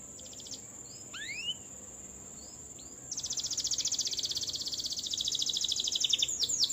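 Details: Canary performing a rolling 'ngerol' song; a few scattered high slurred whistles at first, then a sustained, very fast, high buzzy trill that runs unbroken for over three seconds and grows louder.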